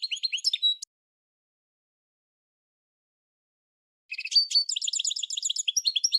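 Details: Goldfinch singing in two bursts of tinkling, twittering phrases separated by about three seconds of silence; the second burst a rapid run of high, bright trilled notes.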